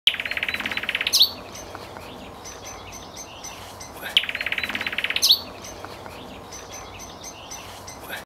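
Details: Nightingale singing at Cowpen Bewley, Billingham, UK, on 9 May 2012: a fast stuttering series of repeated notes ending in a sharp whistled flourish, the same four-second phrase heard twice over steady background hiss.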